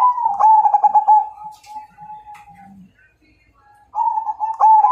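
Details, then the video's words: Majapahit zebra dove calling out a rival to fight, with a fast rolling trill of soft coos trailing into a long level note, a pause, then a fresh trilled phrase starting. "Suara Perkutut MAJAPAHIT Ngajak Tarung"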